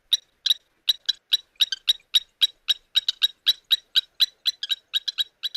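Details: Blacksmith plovers at a southern African waterhole on 17 November 2024 give alarm calls at a troop of nest-raiding baboons: sharp, metallic tink notes like a hammer on an anvil, about four a second in an uneven, urgent string.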